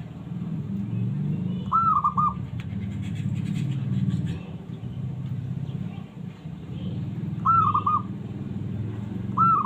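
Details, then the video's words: A small zebra dove calls to provoke rival doves into answering. Short cooing trilled phrases, each rising then breaking into quick notes, come three times over a constant low engine rumble with faint voices. "suara burung perkutut kecil mencari lawan"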